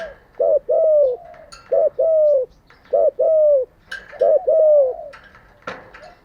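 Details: Captive spotted dove used as a decoy to train other doves each day, delivering a two-note coo, a short hoot plus a falling drawn note, four times at steady intervals, with light clicks and rustles.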